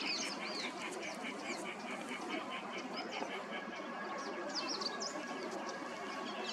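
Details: Male and female Green-winged Teal at Keoladeo Ghana Bird Sanctuary, Bharatpur, Rajasthan, India, February 2021: a flock keeps up a steady chorus of short, high, whistled peeps overlapping rapidly, with softer nasal chatter beneath.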